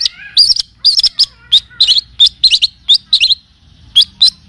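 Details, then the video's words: Cendet, the long-tailed shrike, on a tutoring lure recording in kapas tembak and cililin style: bursts of shrill, quick notes in clusters of two or three, broken by short pauses, over a soft low background hum. "Masteran dan pancingan bunyi burung cendet / pentet ‼️full kapastembak dan cililin."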